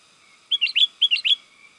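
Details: Sooty-headed bulbul lure call, meant to excite wild birds into answering: two short bursts of three or four bubbly, slurred whistled notes, clear and loud against a quiet background with a faint steady hum.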